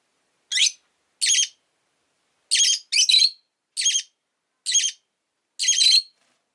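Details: Rosy-faced lovebird chirping repeatedly: seven short, harsh, ringing squawks of even length at irregular intervals of roughly half a second to one second, with no other sounds.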